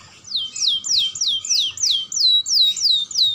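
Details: Young canary singing as a lure for other canaries, repeating a clear downslurred whistle about three times per second in an even series of around nine notes.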